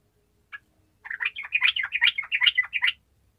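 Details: Singing sooty-headed bulbul in energetic 'gacor' style: a single note, a brief pause, then a dense, bouncing chatter of rich, varied notes lasting about two seconds over a faint low hum.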